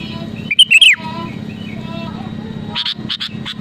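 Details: Sooty-headed bulbul singing to challenge rivals: one quick bubbly whistled phrase near the start, followed by faint tapping clicks and a steady low hum.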